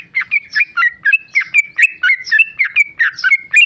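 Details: Tame male sooty-headed bulbul in continuous ropel song, a rapid, almost unbroken chain of burry whistled two-note phrases repeated roughly four times a second.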